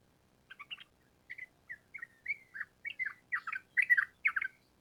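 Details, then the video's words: Trucukan song of a sooty-headed bulbul: a sequence of short whistled and slurred phrases, some rising and falling, growing louder and busier toward the end over about four seconds. "Pancingan Trucukan Gacor Ampuh Untuk Masteran Burung Trucuk Supaya Cepat Nyaut Bunyi Ropel Panjang"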